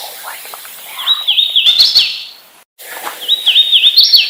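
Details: Two clear hooded warbler songs, each a quick string of clear whistled slurs that dip and rise, closing with a loud upward flourish, separated by a short gap.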